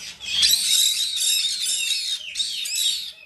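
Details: A female Blue-eyed cockatoo chick, still hand-fed three times a day, gives harsh, rasping begging calls in a near-continuous stream of loud, scratchy squawks with only brief breaks.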